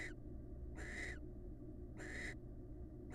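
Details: Barn owl pair, wild birds, bonding: two drawn-out rasping hisses with a slight downward slur at their ends, evenly spaced over a low steady hum.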